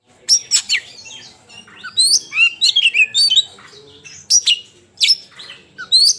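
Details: Oriental magpie-robin in fighting mode, singing loudly: rapid sequences of high, sharp whistles and piercing upward-sweeping notes, with buzzy twitters and brief pauses between loud bursts, repeated through the recording.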